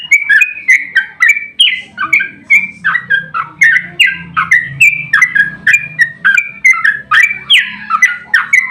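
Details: Sooty-headed bulbul giving a long 'ropel' fighting song, used to provoke rival bulbuls into answering: a continuous chatter of warbled, slurred whistles, roughly one phrase per second, with a faint low hum underneath.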